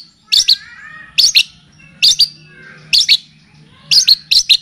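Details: {'caption': 'Cendet, or long-tailed shrike, in a tutoring and lure recording that blends in kapas tembak and cililin styles: paired and tripled high chirps repeated roughly every second, bright and clipped.'}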